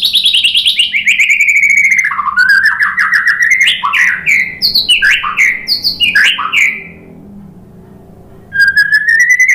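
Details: White-rumped shama lure song: long sweeping whistled descent, then varied slurred and buzzy phrases, a quiet stretch, and a final rising whistled note with rattling harmonics.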